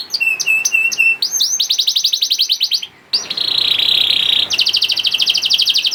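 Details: Young canary song used to coax silent canaries to sing: low steady whistled notes, then a fast rattling trill, a short pause, and a long harsh buzzing roll ending in quick repeated chips.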